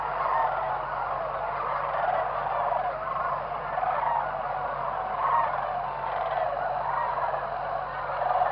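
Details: Morning roost of whooping cranes around sunrise, a crowded chorus of overlapping calls. Short honking notes stand out every second or so above a constant murmur of many distant birds.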